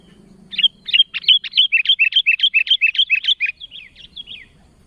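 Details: Sooty-headed bulbul calling to others in a steady chattering run of about fifteen bright looping chirps, alternating higher and lower notes several per second, fading into softer slurred whistles.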